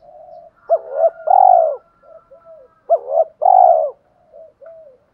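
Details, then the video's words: Male and female spotted doves cooing as a lure to trigger fighting responses: two loud phrases, each a quick double note followed by a long swelling coo, about two seconds apart, with faint soft cooing between. "Tiếng chim cu mồi thúc đấu/ chim cu gáy kích bổi nhanh nổi gù đấu lại/ chim cu cườm thúc rút bổi"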